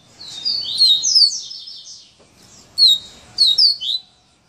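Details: Coleiro, or Double-collared seedeater, singing the "serra elétrica" song type: high, sharp whistled notes and buzzy sweeping phrases, a fast jumbled run then a pause and renewed bright slurred notes.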